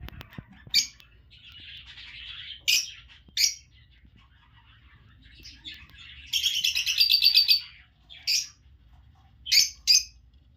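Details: Budgerigars around the hatching of their first baby give sharp, high chirps and a soft, buzzy warble, with bursts of rapid chattering.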